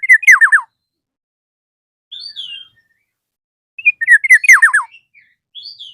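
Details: Black-naped oriole calling to challenge a rival: two loud bursts of downward-slurring notes, each followed by a brief falling whistle.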